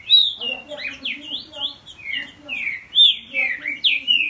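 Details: Caged Green-winged Saltator father and young son dueling in song, a dense run of rich whistled slurs rising and falling, phrases overlapping almost continuously.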